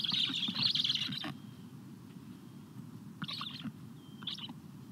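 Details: Black stork at its nest on 14 July 2022 at 17:15, a parent feeding chicks: loud, harsh, rasping bursts in rapid pulses, a long one of over a second then two shorter ones, with a faint thin whistle of a small bird between.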